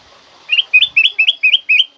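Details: Black-crested bulbul song for training pet birds: six loud, bright, rising two-part whistles delivered quickly and evenly over roughly one and a half seconds, with a clean quiet background.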